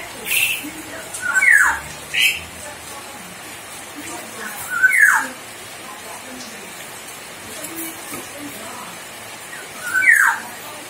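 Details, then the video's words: A common hill myna mimicking human speech gives a few loud, harsh, speech-like phrases, each sliding downward in pitch, spaced several seconds apart over a soft background hiss. "Burung Beo Pintar Menirukan Suara Orang"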